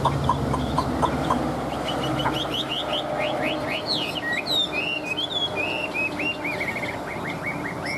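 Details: Caged Chinese hwamei in full singing form, starting with a few soft clicking notes, then breaking into a string of bright upward-slurred whistles and longer wavering phrases that fill the second half, with faint low background noise.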